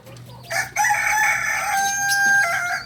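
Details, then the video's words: Young Kokok Balenggek rooster, a two-month-old singing chicken from Tigo Lurah, Solok, West Sumatra, crowing: a loud harmonic crow starting near half a second and held steady with a slight break before rising again near the end. "Ayam kukuak balenggek ayam penyanyi dari solok"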